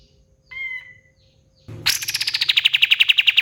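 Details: Short clear whistled note from a pied triller, a pause, then an explosive rapid trill of sharp repeated notes sliding gradually downward in pitch.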